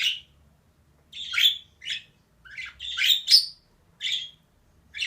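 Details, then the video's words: Busy run of harsh, grating chirps from a female budgerigar, uneven in timing, some calls doubled and run together. "DİŞİ MUHABBET KUŞU SESİ"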